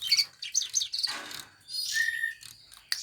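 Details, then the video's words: Sparrow sought by birdsong hobbyists, with high chirps, a buzzy rising phrase and a brief level whistle, then a final sharp chip. "Burung Gereja yang Banyak dicari Kicau Mania"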